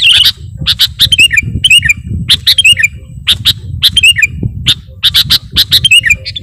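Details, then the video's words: Sooty-headed bulbul lure calls for bird trappers: sharp chirps, each followed by a short falling whistled note, repeated every second or so over low background rumble. "Mp3 Suara Pikat Burung Kutilang Gacorr"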